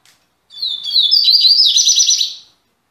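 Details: Double-collared seedeater, a caged bird in Salvador, Brazil, returning to song after three months: high whistled introductory notes flowing into a dense, rapid rattling trill lasting about two seconds.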